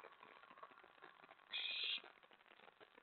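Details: Owl nest at night on May 24, 2017, with an owlet receiving a mouse and a rat. A single harsh, rasping hiss lasts about half a second amid faint scratching and rustling.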